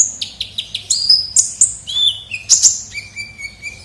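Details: Kolibri ninja sunbird used as a lure recording: sharp high chirps, then drawn-out whistled notes stepping down in pitch, each phrase short and bright, with no other sounds.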